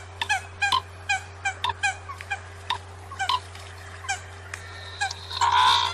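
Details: Common coot calls: a series of short, nasal, honking notes with rich harmonics, repeated at irregular intervals about every half second. A louder, noisier burst comes near the end over a steady low electrical hum.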